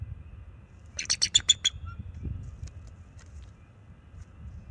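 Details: Bald eagle pair defending their nest from a nearby owl, recorded by a close nest camera on March 7, 2024; a fast run of about six piercing, squeaky chirps, then quieter faint notes and a low background rumble.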